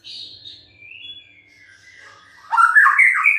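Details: White-rumped shama in song: thin, faint whistled notes sliding downward for two seconds, then a sudden loud burst of rich, rapid warbled and chattering phrases rising in pitch.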